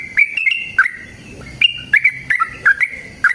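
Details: Yellow-vented bulbul singing a vigorous long trill used to provoke caged birds into answering: clear whistled notes around mid pitch in short bursts, some rising or dropping, separated by brief pauses.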